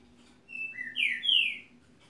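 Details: Green-winged saltator singing one clear whistled phrase: a steady high note, a lower note, then two loud slurred notes falling in pitch, with a faint low hum beneath.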